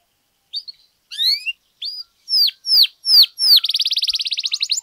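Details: Canary singing to trigger other canaries into song: a few separate whistles and slurs, then four loud downslurred notes, breaking into a rapid, even buzzy trill.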